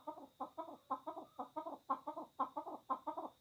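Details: An angry pet chukar partridge in a fight calls with hard, rhythmic double chuk-chuk clucks, repeated about twice a second, against a faint high hum.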